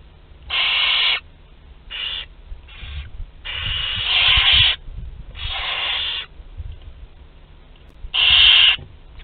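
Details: Barn owl chicks two to twelve days old at a group meal, Théding, France, 29 April 2021: uneven series of hissing screeches of varying length, some short and quiet, with shuffling and scratching sounds underneath.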